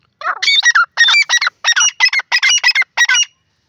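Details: Grey francolin, of the Sindhi type known locally as teetar, giving a loud, clear call: harsh, ringing three-part phrases repeated rapidly in a clean burst of about three seconds, with no other sounds.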